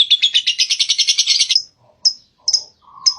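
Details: Lovebird ngekek: a quick burst of harsh, high repeated notes lasting about a second and a half, followed by three isolated sharp chirps with short gaps.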